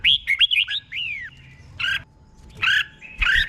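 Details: Red-whiskered bulbul in a cage singing the slow doubled 'boen' style for other birds to learn: a run of looping whistles and a long downslurred note, then harsher, chattering bursts.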